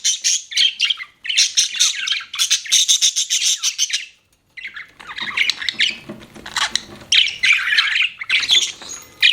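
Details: Pet budgie chattering in dense rasping bursts, warbled chirps and squawks stacked high, a brief silence near four and a half seconds before a noisier, busier run of chirps resumes.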